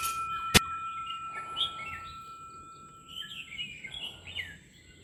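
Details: Yellow-cheeked tit in a mixed flock of temperate broadleaf forest on Sher Road, Arunachal Pradesh, 1,800–3,000 m, 28 November 2024, giving short clear whistled notes in brief bursts, with a sharp click early and a steady high electronic-like hum throughout.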